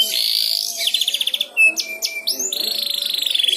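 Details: Young canary learning to sing (ngeriwik), prompted by another canary's song: a high buzzy trill, then fast rattling notes, sharp chips and a long rapid even trill at the end.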